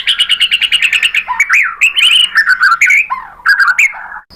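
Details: White-rumped shama (murai batu) song used as a lure to provoke other shamas into replying: a fast rapid series of bright chirps, then varied whistled phrases swooping up and down, dense and loud throughout.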